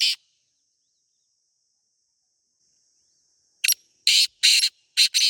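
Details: In the wild in Pakistan, a black francolin (teetar) gives a rasping phrase of five grating notes after a long quiet gap, each note harsh and buzzy, with a faint steady high hum.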